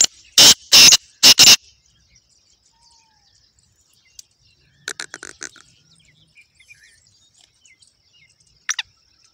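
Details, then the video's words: Black francolin, known locally as kala teetar, in Pakistan: three loud harsh rasping notes in quick succession open the sequence. Long quiet gaps follow, with fainter scratchy bursts and one last short grating note. "kala teetar ki amazing awaaz"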